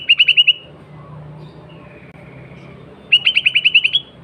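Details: Sooty-headed bulbul singing vigorously in its natural voice, used as a lure for wild bulbuls: rapid trilled runs of five to eight sharp repeated notes, separated by a pause of about two and a half seconds, over a soft low hum.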